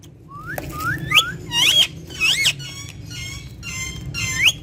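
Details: Captive ringneck parrot speaking Urdu or Hindi words: a run of squeaky, whistled syllables with sharp upward sweeps, some harsh and clipped, over steady low room hum.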